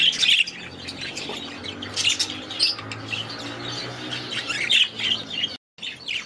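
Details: Budgerigars in an aviary producing harsh squawks and high twittering, a faint low hum underneath, and a brief full cut to silence near the end before chatter resumes.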